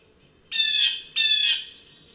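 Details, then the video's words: Blue jay (Cyanocitta cristata) giving two loud, harsh, nasal squawking calls in quick succession, each about half a second long and slightly falling at the end, against a quiet background. "Canto do Gaio Azul"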